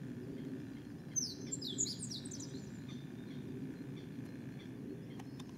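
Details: Crested kingfisher in a forest with cliffs during breeding season (30 May 2017), flying in and out while calling repeatedly, at least five at the site: a single burst of harsh, high chattering about a second long over a low rush like flowing water.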